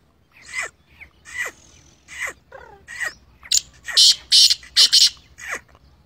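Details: Black francolin calling in a wheat field: a run of about nine harsh, rasping notes, each with a short falling tail, spaced under a second apart and growing louder and brighter toward the end, with a quiet background.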